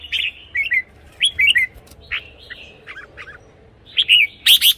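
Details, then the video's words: A red-whiskered bulbul sings, intended as playback for decoy birds or to rouse caged ones: lilting two- and three-note phrases with pauses, ending in loud, bright notes, against steady low background noise. "เสียงนกกรงหัวจุก สำหรับต่อ หรือ เปิดให้นกคึก เสียงเพราะๆ"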